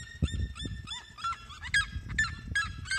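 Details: Loud yelping song of a red-legged seriema, a fast series of bent, harmonic notes that climb and drop in pitch, delivered in an uneven rhythm over low background rumble.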